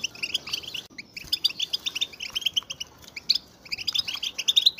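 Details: Group of European goldfinches giving readiness and mating calls to excite males: fast high twittering, a short near-silent break about a second in, then renewed dense chirping with sharp tweets.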